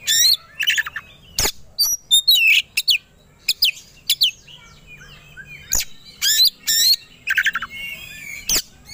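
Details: White-rumped shama in aggressive, fight-ready song after provocation: sharp high whistled and slurred notes, loud broadband cracks, and bursts of rapid chirping separated by brief silences.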